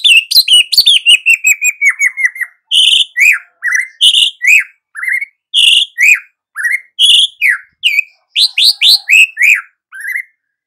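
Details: White-rumped shama singing energetically in 'gacor' style for morning listening: a long descending series of quick whistles, then loud clear whistled notes alternating with slurred down-sweeping phrases, repeated steadily.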